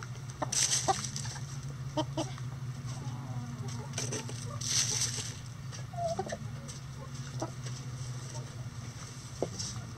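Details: Chickens in a coop on a sunny day, soft scattered clucks and short calls over a steady low hum, with brief scratchy sounds and a louder burst near the middle.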